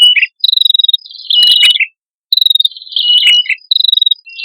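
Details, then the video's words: Lure recording of male and female red-headed prinias: short, buzzy, pulsed high trills followed by quick downward chirps, given in two clusters separated by a half-second silence. "Suara Prenjak Kepala Merah Jantan Dan Prenjak Kepala Merah Betina"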